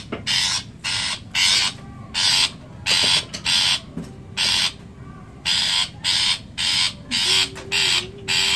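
Long-tailed Shrike giving harsh, rasping bursts, each under half a second, repeated about every half second, with a faint low whistle near the end.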